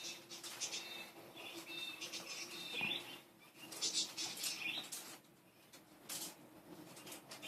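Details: Playful budgerigars chatter with bursts of high chirps and squeaky warbles, with soft rustling and patter, possibly wing flutters, among them and a faint steady hum beneath.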